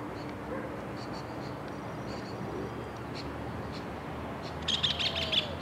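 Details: Thrush (zorzal) singing: faint scattered high chips, then near the end a short burst of rapid, high twittering notes under a steady background hiss.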